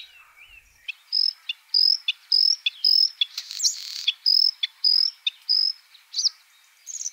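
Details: Song of a White-spotted bluethroat, Luscinia svecica cyanecula: a quick series of clear high whistled notes repeated about every half second, broken by sharp clicks and a brief noisy burst midway.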